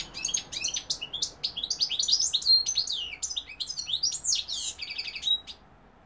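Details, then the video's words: European goldfinch singing, Algeria: a continuous six-second run of sweet, twittering notes, quick rising and falling slurs, buzzy trills and a few clear whistled tones, ending in a short rattling series and a steady note. "goldfinch p throat sign 2021 مقنين الحسون"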